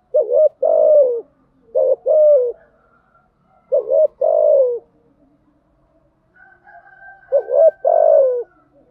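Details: Spotted dove coos from a lure recording in the thúc gù and gáy gọi styles, played to excite decoy birds. Four two-part phrases, roughly every two seconds, each a clipped rising hoot and a longer falling, slightly rough coo.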